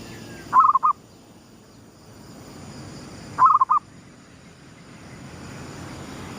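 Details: Gedong mengo style lure zebra dove singing at sunrise: two identical phrases about three seconds apart, each a rolling trilled coo followed by two quick softer notes, steady hiss behind.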